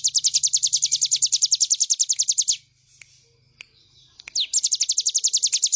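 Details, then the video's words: High rapid trill of a bar-winged prinia, evenly spaced notes for two and a half seconds, a near-silent pause with a few clicks, then one swooping note before the trill resumes. Used as master material for songbirds. "Ciblek gunung gacor full bren"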